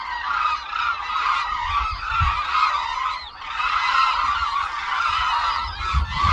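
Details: A large flock of migrating hooded cranes at the Suncheon Bay wetland, Korea, calling together during aerial flight displays: a steady wash of overlapping, loud, trumpeting calls with no gaps, some voices rising above the rest.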